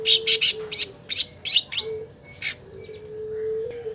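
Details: Long-tailed shrike used to lure a reluctant caged bird into singing: a quick burst of scratchy chattering notes that slows and thins out, then a steady low hum.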